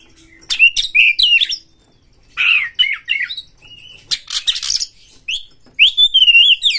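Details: Caged white-rumped shama from Indonesia, song used to provoke other birds into singing: bursts of sharp chirps and whistled slurs separated by short pauses, with noisy rasping notes and a long fluting phrase at the end.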